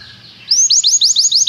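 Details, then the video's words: Belgian canary singing: after a quiet start, a run of rising-falling whistled notes repeated quickly at a steady beat, bright and loud. "Canário belga cantando muito - best singing"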